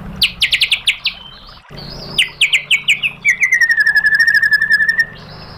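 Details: White-rumped shama (murai batu) song, a training recording meant to provoke other shamas into answering with 'tembakan' bursts: quick rapid-fire falling notes, then a buzzy trill and a long even rattle of repeated chips.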